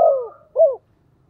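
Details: Decoy spotted dove cooing to call wild doves: a short, soft, low coo that slides downward, a brief pause, then a second shorter falling coo, with quiet surroundings.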